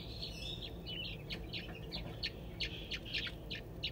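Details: Captive crested wood partridge chicks at the Saint Louis Zoo, one 22 days old and two 11 days old, scratching for bugs and seeds; short high chirps repeat about once a second over a steady thin whistle and low hum.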